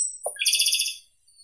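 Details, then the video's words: Japanese robin song in quick succession: a short lower chip and whistle, then a high, fast, evenly pulsed trill fading out within a second. "Как поёт Малиновка японская (Erithacus akahige)"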